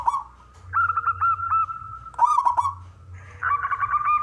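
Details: Male local zebra dove (perkutut) of wild stock, singing prolifically to lure other doves into song: low rolling cooing phrases near one pitch, broken by short bursts of clicking trills, with a second overlapping voice toward the end.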